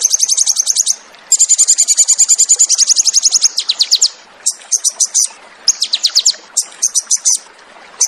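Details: Sogon, the Crested jay, singing 'tembakan' for training cage birds: a long rapid high trill, then shorter choppy bursts of sharp descending notes with brief gaps.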